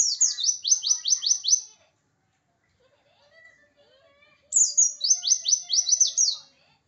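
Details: Oriental white-eye of the Pacitan type, singing insistently to provoke rivals: two bursts of rapid, very high, sharply downslurred notes, six or seven per burst, separated by a pause of under three seconds with faint lower sounds between.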